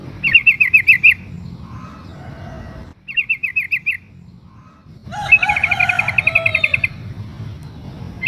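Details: ['Female sooty-headed bulbul calling for a male while in breeding condition; quick rattling chirp series with gaps, ending in a longer dense run overlapped by other bird voices, low hum throughout.']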